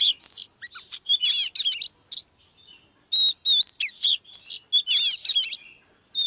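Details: Oriental magpie-robin female singing live to push a male into full song: loud bursts of slurred whistles and twangy notes in short phrases, separated by brief pauses.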